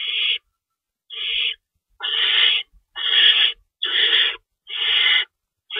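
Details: Owls calling at the nest during night feeding, 3:53 AM on March 25, 2012, two rabbits in store: seven raspy, hissing screeches repeated roughly every second after a quiet opening, background otherwise still.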